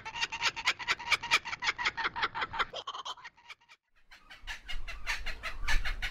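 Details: Laughing kookaburra sound resembling human laughter, made of quick, uneven, harsh repeated notes that fade into a brief lull before loud raucous cackling resumes over low background rumble.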